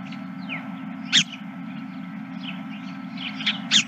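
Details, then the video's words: Many geese calling at a ranch late in the evening of 31 March 2023; two sharp, brief, harsh honks stand out above a murmuring chorus of fainter downslurred flock calls, with a constant low hum underneath. "Geese and more Geese"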